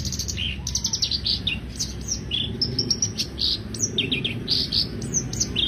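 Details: Black-browed reed warbler in full song, a lively stream of high chirps, squeaks and grating trills packed closely together, with a low hum behind.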